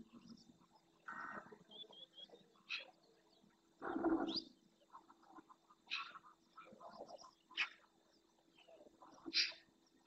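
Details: Eurasian magpies feeding in a small flock on invertebrates in the Doñana marsh, Spain, captured by a fixed camera. Short, scratchy, broadband calls are scattered through the recording, with one louder, lower rasp and softer background bird noises.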